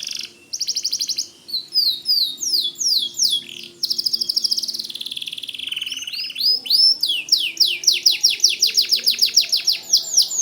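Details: Vigorous white canary song in gacor style, used as a tutor for white-rumped shamas: clipped trills and a stuttering buzzy passage, then a long, rising series of sharp, quickly repeated arching notes.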